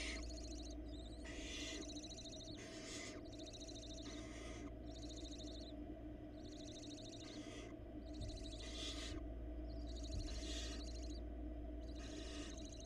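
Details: Nest-cam barn owls in Florida, with the female bringing a rat to her chicks and squabbling with the male. Repeated breathy, wheezing screech bursts, roughly one per second, sound steadily over a low background hum.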